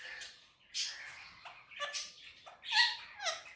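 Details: Pet male Indian ringneck parakeet talking on a table indoors in Urdu/Hindi: short bursts of mimicked speech-like syllables, squeaky and nasal, with brief pauses between phrases.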